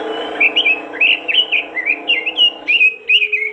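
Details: Robin singing vigorously to prompt other robins to join in: fast, chattering phrases of sliding, whistled notes, each burst quickly following the last, over a soft low humming background tone.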